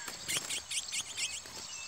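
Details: Chestnut-bellied Seed-Finch in a fight between two males gives a quick run of about six clear, high, slurred whistled notes, each dipping and rising, roughly four per second.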